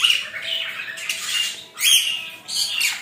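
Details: A rainbow lorikeet taking a shower gives harsh, grating screeches in three short bursts over the steady hiss of running shower water.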